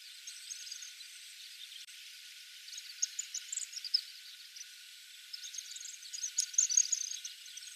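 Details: White-throated needletail, a summer visitor in Gujō, Gifu, Japan, flying overhead, giving thin, high, squeaky twitters in scattered bursts, loudest near the middle and end, over a soft steady background hiss.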